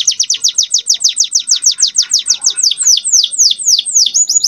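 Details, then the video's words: Young canary singing as a master song meant to bring female canaries into breeding condition: a rapid series of steeply descending high whistled notes, about three per second, slowing toward the end before a thin sustained tone. "MASTERAN KENARI MUDA GACOR ISIAN DAN BIKIN EMOSI - pancing kenari betina agar cepat birahi"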